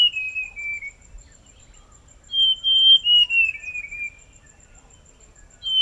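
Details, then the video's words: Whistled song of the Forest scrub robin: a falling phrase, a pause, then another sliding downward run of linked notes and the start of a third, accompanied by a steady high insect tick. "Rouxinol da Floresta - Ouça seu lindo e misterioso canto"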